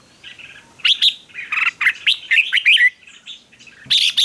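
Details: Red-whiskered bulbul fighting song for stirring up birds: a dense stream of loud, bubbly whistled notes, rapid and varied, a brief pause, then another bright burst.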